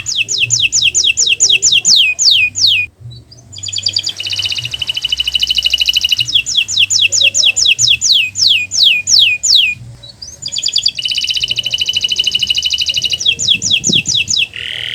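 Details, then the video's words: Kenari song used as a master recording to coax non-singing canaries: strings of descending whistled sweeps alternate with rapid buzzy trills, a short pause near three seconds, and a harsh note at the end. "Masteran Burung Kenari untuk Pancingan Burung Macet Bunyi"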